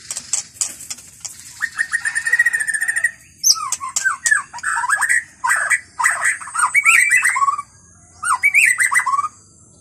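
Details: Song of a wild white-rumped shama in forest. Loud, varied whistles and warbles come in quick bursts, mixed with high scratchy notes and short pauses, over about ten seconds.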